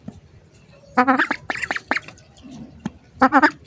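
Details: Hungry ducks heard up close: a quick series of loud, nasal, ringing quacks, a short pause, a few more quacks, then a final burst of three quacks over quiet background hiss.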